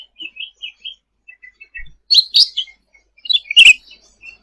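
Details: Lively song of a sooty-headed bulbul, kept for tutoring other cage birds: a few soft high chirps, then two loud rough warbled phrases and a final brief burst with a sharp click.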